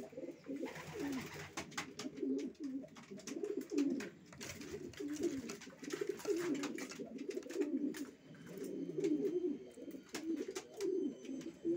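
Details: Racing pigeons keep up a steady chorus of low, throaty crooning coos, many overlapping, with frequent light clicks and taps.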